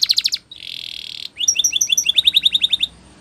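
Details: Spanish Timbrado canary singing: a few quick notes, a sustained buzzy trill, then a rapid run of clear paired chirps about six per second.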